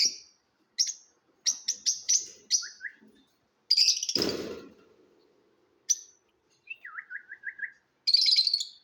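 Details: Lovebird chirping at a competition: sharp, high single chirps and quick runs of squeaky notes, a short series of lower descending twitters, and one loud thump partway through.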